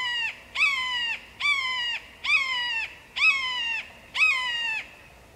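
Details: Red-shouldered hawk giving a run of six ringing, slightly descending scream notes, each about half a second, spaced under a second apart, clear and dominant over a faint low hum.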